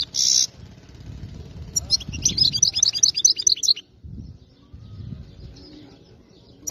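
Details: Wild-caught European goldfinch from area 86, singing a song described as free of errors: one sharp high chirp opens, then about two seconds of rapid, jingling, tinkling twitters, over a low rumbling background with faint murmurs.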